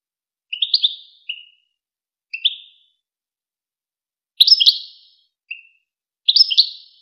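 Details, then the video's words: European goldfinch, the well-known Wakr Touzgha tutor recording for teaching goldfinch chicks and hybrids to sing: short bright twittering phrases and single tinkling notes, high-pitched, spaced irregularly with silent gaps, no other sounds. "شريط وكر توزغة الشهير لتسميع فراخ الحسون و الهجين"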